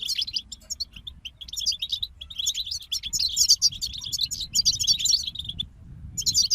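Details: Sustained chorus of European goldfinches: rapid, rich twittering with buzzy trills, nearly unbroken, briefly dropping off before resuming at the end.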